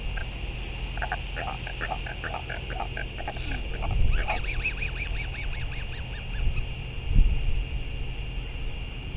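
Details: Royal albatross adults exchanging sky calls in New Zealand while the mother feeds her chick, afternoon of 24 February 2023; a run of harmonic, arched braying notes, then a faster, higher series of rising-falling notes over steady wind.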